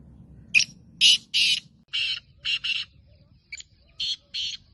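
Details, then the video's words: Gangas-strain black francolin (kala teetar) in a cage repeats its call: a sharp tick and paired rasping notes, the harsh, buzzy phrase given twice in under five seconds over low background rumble. "Kala Teetar Gangas Nasal Black Franclion Voice"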